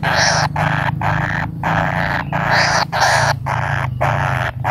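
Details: Waiting for its parent, a kingfisher chick repeats coarse rasping bursts of about half a second with short gaps between them, over a constant low droning hum.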